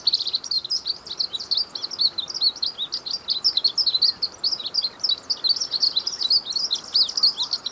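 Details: Continuous song of a Glaucous-blue grosbeak, a rapid stream of high, sweet chirps and warbled notes tumbling one after another for the whole stretch, with only light hiss behind.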